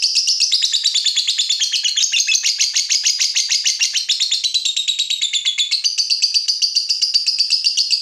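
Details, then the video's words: Agitated fighter lovebird reacting to a rival delivers an unbroken, rapid, shrill rattling chatter, dense high-pitched pulses running for eight seconds with slight shifts in tone near the end. "Terpancing Emosi Begitu Lihat Lawan, Lovebird Fighter ini Langsung Narung"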